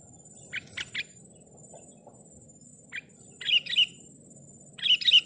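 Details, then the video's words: Sooty-headed bulbul singing to provoke rivals: a few soft clipped notes first, then two louder bubbling phrases near the end, over a high steady whine and faint low background hum. "kicau kutilang bikin emosi lawan"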